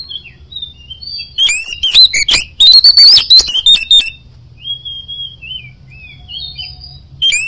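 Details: Oriental magpie-robin (kacer) singing ngoceh gacor: soft thin whistles, then a loud dense burst of rattling chips and bright whistled notes lasting over two seconds, followed by quieter drawn-out whistles and a faint low hum.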